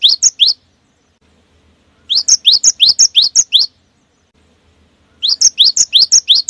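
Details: A cinereous tit sings the rolling 'wucit wucit' song with tightly spaced notes, used to draw song from other cinereous tits. Three short volleys of sharp rising whistles are separated by clear silences.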